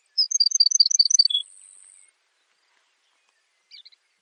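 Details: Baird's sparrow gives a quick run of about a dozen sharp, high notes alternating up and down, ending on a lower tone, with a short faint chip a couple of seconds later.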